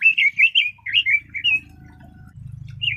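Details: Red-billed leiothrix (Leiothrix lutea) in song, a quick chain of bright, loud whistled notes rising and falling in pitch, pausing before one last note, over a low steady hum in the background.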